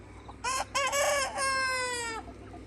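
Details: Free-range Red Mía rooster kept with a flock of hens on a farm, giving one loud harmonic crow of about two seconds: a short opening note, a brief gap, then a long held note that slowly falls in pitch, over a low rumble of background noise.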